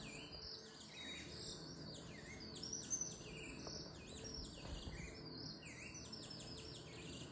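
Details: A caged saffron finch (Sicalis flaveola, "criollo" canary) flapping its wings while singing: dense, bright chirps and down-slurred notes tumbling over one another without pause, likely several birds, over a low background hum.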